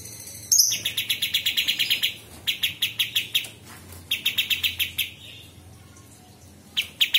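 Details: Sooty-headed Bulbul (kapas tembak) song, used as master audio for training murai batu, cucak ijo and kacer. Thin high squeaks open into bursts of rapid, evenly pulsed chattering notes, several runs of about a dozen each, separated by short pauses.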